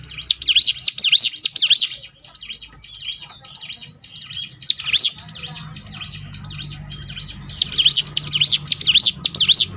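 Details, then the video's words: Bar-winged Prinia (ciblek gunung) song used as a lure recording to encourage birds to sing more often: bursts of high, rapid V-shaped whistled notes, roughly two per second, with a quieter pause midway and faint low hum beneath. "ciblek gunung mana yang gak tergoda ikut berbunyi"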